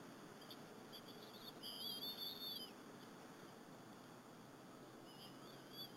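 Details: Afternoon feeding at a Berry College bald eagle nest, 30 April 2015, two eaglets sharing a squirrel with their mother; a single long, wavering high-pitched squeal, then a fainter short one near the end, over constant hiss.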